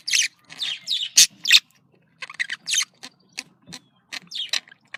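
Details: Budgerigars heard in calls meant to bring them into breeding: scattered sharp chirps and scratchy squawks in short bursts, sparser than a full chatter, with quiet pauses between.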